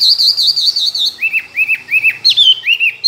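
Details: Tame caged Chinese hwamei, two years in the cage, a good competition singer with many forest voices: a wavering whistled trill near the top, then a run of repeated down-slurred whistles about three per second.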